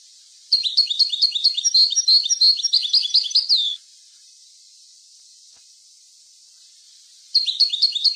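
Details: Goldfinch song used to teach young goldfinches: a lively run of quick, jangling, high twitters lasting over three seconds. A long pause follows, then a new burst of chattering notes begins.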